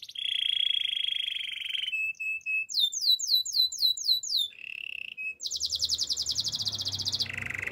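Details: Canary singing a varied song: a long, steady buzzy roll, short clipped notes, then a run of rapid downward-sweeping whistles, a fast high trill and a lower rolling phrase, with a faint low rumble near the end.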